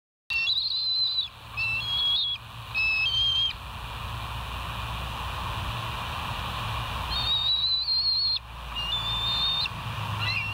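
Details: Bald eagles on a live nest camera at West End, recorded on 8 August 2023 at 07:30. Thin, high whistled notes come in short bursts, several in a row, then a pause and two more, over a loud steady rushing hiss.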